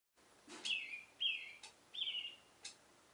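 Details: Oriental reed warbler singing its love song in a cherry tree in the morning: short harsh downslurred notes in a few separated bursts, with quiet background.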